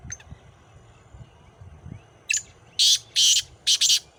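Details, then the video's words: Black francolin calling in Khushab, Pakistan: a quiet faint start, then a loud harsh grating series of four rasping notes in quick succession, over low background rumble. "kala teeter ki awaz"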